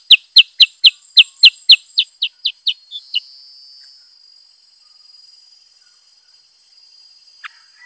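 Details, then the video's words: A black-headed bulbul (Pycnonotus atriceps) gives a quick run of about a dozen sharp, high chips that slow and fade over three seconds, followed by a thin, steady insect-like hiss. "Bird Chirping_Burung KUTILANG SUTRA GACOR Bongkar Isian ( Pycnonotus Atriceps )"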